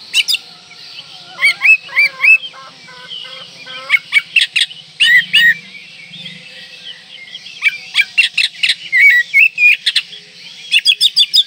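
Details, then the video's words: Oriental magpie-robin in breeding condition, singing to provoke rivals: long, varied song of sharp clicks, chirps and brief whistled slurs in rapid irregular bursts, background hiss throughout. "Kacer Gacor Full Isian Mewah Merangsang Birahi Agar Tetap Gacor Ngobra Dan Lawan Jadi Emosi"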